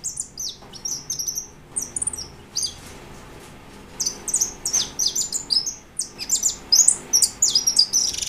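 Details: European goldfinch, a white bird, pouring out a bright, rapid twitter of sharp high chirps and trilled notes, pausing briefly before resuming in dense bursts.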